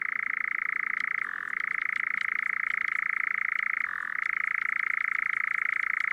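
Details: European nightjar (Caprimulgus europaeus) churring: a steady, mechanical trill that runs without a break, dropping briefly in pitch twice, like a small engine changing gear.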